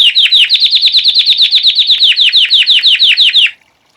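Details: White Belgian canary singing in the classic campainha style, for post-moult training; a crisp, rapid trill of repeated slurred notes, about six per second, stopping abruptly into silence.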